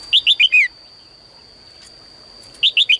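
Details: Caged female bird singing in the morning to prompt males to sing more: short bursts of four or five bright downslurred whistled notes, falling from high to lower pitch, separated by a pause, over a steady high electronic whine.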